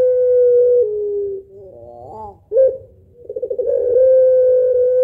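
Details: Spotted dove, pelung style, calling a long rhythmic two-note 'kuwok' laugh to draw in other birds: a level held coo that dips, a trilled rising phrase, a sharp accent, then a stuttering build into another steady coo.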